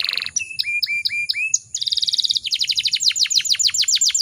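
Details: Female canary in breeding condition, used to prompt song in other canaries; repeated upturned whistled chirps, a dense buzzy roll, then fast cascading downward whistles.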